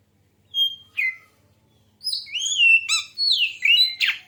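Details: Oriental magpie-robin singing, a song used to provoke other birds: two separate clear whistles, then a flowing sequence of loud, varied notes with high, pure tones, downward slurs and a harsh final burst.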